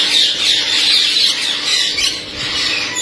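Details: Rapid, piercing squawks from a blue-headed rainbow lorikeet parrot, closely spaced screeches merging into a loud, continuous raspy chatter.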